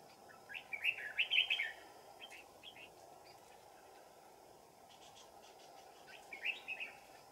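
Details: Red-whiskered bulbul decoy singing to attract wild birds to a trap, cold afternoon deep in the mountains, 15 December 2018; a cluster of quick chirpy notes, a long quiet pause, then a shorter warbled burst.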